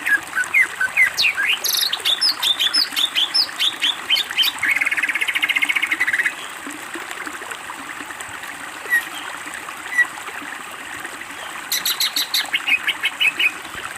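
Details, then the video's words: Greater green leafbird singing in a master training recording: bursts of quick, varied chirps and twittering phrases, a rapid buzzy rattle in the middle, and a pause before more chirps. A soft trickling, water-like hiss runs underneath. "masteran cucak ijo gacor BONGKAR ISIAN masteran istimewa"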